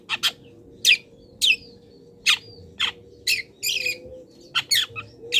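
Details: Long-tailed shrike song laced with imitations of wild birds, for training cage birds: separate loud, grating high notes about once a second, some sliding downward, with one longer rasping burst.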